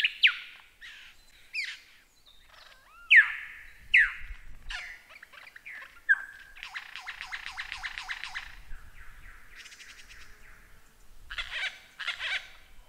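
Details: Mimicking lyrebird song as a model for cage birds: loud falling whistles and twangy notes, then a long fast whirring rattle, more scratchy phrases and a final buzzy chatter, with changing mixed sounds throughout.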